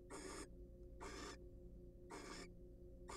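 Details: Courting wild barn owls preening in a nest box; loud, noisy snoring hisses about a third of a second long, repeated about once a second, with low mechanical hum behind.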